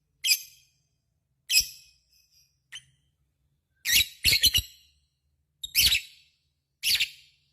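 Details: Pet lovebird producing isolated harsh squawks and a quick triple burst of rasping notes, separated by brief silences.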